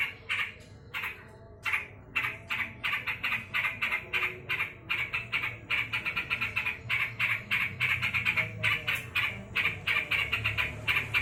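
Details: Yellow-vented bulbul calling loudly while angry: a fast, harsh, chattering run of short scratchy notes, about three per second, repeated in uneven bursts, with brief pauses and a low background hum.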